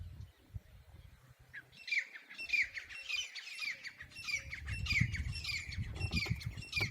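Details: An unidentified bird chirping outdoors, breaking a silence: a busy, irregular run of short, sharp, squawky chirps at a high pitch, about one or two per second, over a low rumbling background.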